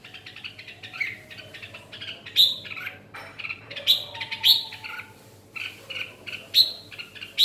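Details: Red-whiskered bulbul singing in the ché style: varied short chirpy and warbled notes, some sharp bright accents, delivered in quick phrases with brief pauses.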